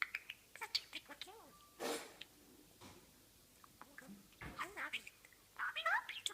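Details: A hand-reared talking budgerigar from Australia chatters in a rapid, raspy, speech-like stream of clicks and tiny high chirps.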